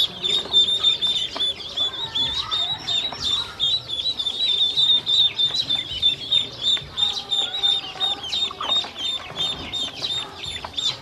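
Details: Hungry ducklings, domestic ducks, at feed and drinking water, giving a steady chorus of shrill high-pitched peeps, fast and continuous, with faint clicks underneath.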